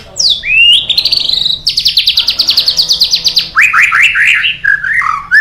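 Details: White-rumped shama lure song for stirring other birds to sing: sweeping whistles, then a long run of rapid high chattering notes, ending in a string of downslurred whistles; clear and loud.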